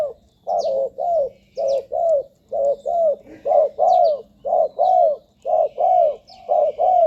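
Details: Spotted dove coos for luring wild doves to ground, branch or trap-cage decoys: a continuous run of rounded low coos, paired and evenly paced about one per second, some notes bending downward, with a faint low hum.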